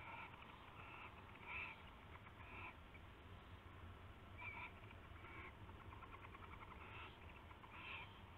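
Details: Early-morning owl on 19 February 2016 during a rabbit prey exchange: scattered short scratchy calls, some paired, repeated every second or so across a steady low hum.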